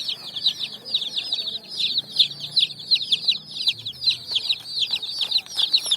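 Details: Many brightly coloured chicks jumping and running on sand, looking for food in the evening sun; a dense, continuous chorus of high, shrill peeps, overlapping and falling in pitch, several each second.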